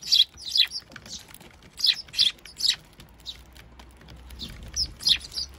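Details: At a bird feeder where Eurasian tree sparrow adults feed young: short, high chirps in groups of two or three, a quieter stretch in the middle, then more chirps near the end.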